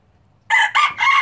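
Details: Crow of a pure Laos red junglefowl kept as a breeder, 2016: after a short quiet gap, three loud harsh bursts follow closely, the middle one rising then the last held and slightly falling, with no other sounds.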